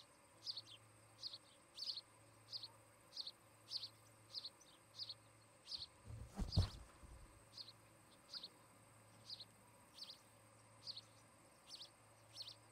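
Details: Nest-cam recording of a mated osprey pair at their new nest in Charlo, Montana, August 17, 2018, afternoon; thin, piercing chirps repeat roughly every second, broken midway by a loud thump or knock near the camera.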